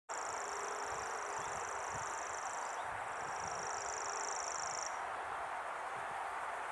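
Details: A common grasshopper warbler sings on 12 July 2011 in fields at the Groenendael racecourse, reeling out a high, even, insect-like trill broken by one brief pause, over a steady wash of wind or rustling leaves.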